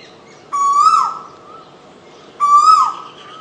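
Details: Bird calling in the Jambari sal forest, Cumilla, Bangladesh: two loud, clear whistled notes, each rising slightly then dipping at the end and trailing into a softer level tone, about two seconds apart over quiet background.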